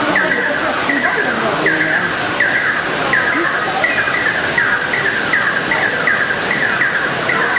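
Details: Two Fire-tufted barbets in a duet, giving a long run of sharp downslurred notes in a steady rhythm, roughly 80 a minute, over a lower sustained tone and a noisy backdrop.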